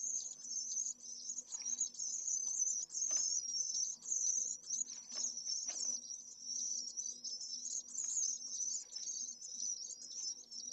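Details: Pallid swift, the single chick in a nest in the centre of Jerez de la Frontera, Spain, at solar midday on 25 August during a heatwave above 44°C; a continuous high, wavering buzzy trill runs throughout over a faint low hum.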